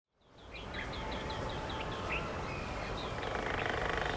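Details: Golden-backed Woodpecker (Lesser Flameback) at its newly excavated nest hole in a dead Casuarina trunk in an orchard in Delhi. A rapid, fairly even series of short, high notes, about four per second, sounds over steady background noise and a low hum.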